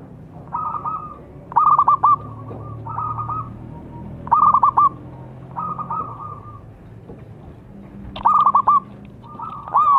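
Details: Zebra dove song meant to draw birds into singing. Soft level coos alternate with bursts of stuttered, bouncing notes, repeating steadily with brief pauses and a low background hum.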